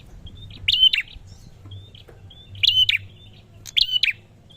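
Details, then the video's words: Prinia uttering three high, clicky phrases with a brief level whistle, irregularly spaced, plus faint thin whistled notes between; steady low hum in background. "PRENJAK MALAS BUNYI BAKAL CEPAT RESPON ‼ BURUNG PRENJAK GACOR"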